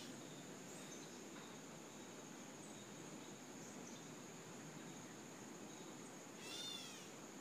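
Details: A single nasal, cat-like mew from a gray catbird near the end, slurred and wavering, over a steady high insect whine and background hiss; recorded in a backyard on 8/4/2014.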